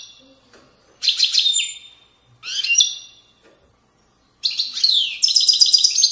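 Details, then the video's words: European goldfinch singing the Moroccan widani style: two short jangling phrases with rising starts, then a longer, denser run of high twittering and buzzy notes. "تغريد ويداني أصيل من ضفاف الوديان المغربية goldfinch hason chant widaniya chardonner"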